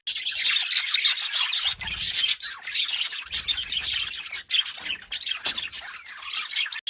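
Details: Budgerigar warbling nonstop, a busy mix of high chirps, scratchy chatter and squawks, with a couple of low rumbling bursts in the background.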